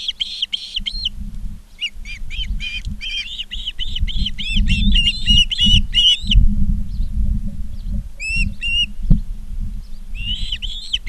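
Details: Ospreys in Charlo, Montana, on August 19, 2023, at 16:05: bursts of sharp, whistled chirps in rapid series, rising and falling, with pauses between runs, over steady low rumble and a faint hum.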